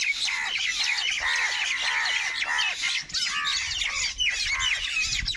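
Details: A crowd of crows squabbling over food gives steady hoarse caws, about two per second, beneath a constant high chatter of chirping birds that fills the whole scene.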